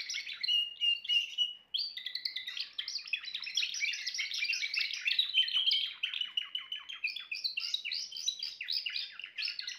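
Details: Timbrado canary begins with a few whistled notes, pauses, then sings a long, rapid, rolling trill of metallic notes.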